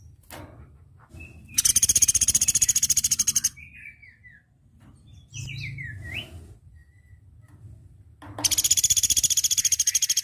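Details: Flowerpecker song used for training other birds: two bursts of fast, high-pitched buzzy trilling with evenly repeated pulses, separated by a pause with a few short, sliding chirped notes.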